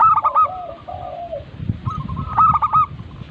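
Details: Local zebra dove (perkutut) song used to stimulate other birds to sing: a rolling cooing phrase of stuttered notes around one pitch, with a low trailing coo, repeated after a pause; low background rumble.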